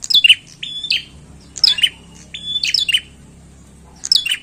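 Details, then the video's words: Bar-winged prinia in lively, chatty song: clusters of piercing descending chip notes joined by brief flat buzzes, delivered in four bursts roughly every second, with soft low hum underneath. "PRENJAK GACOR PIKAT OKE"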